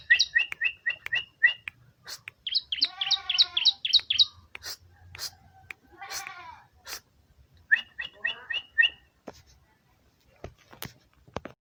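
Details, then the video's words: Ciblek (bar-winged prinia) song: rapid strings of bright chip notes and nasal, buzzing trills in bursts separated by brief gaps, with a few sharp clicks near the end. "BURUNG CIBLEK Mu bakal ..langsung ikutan bunyi"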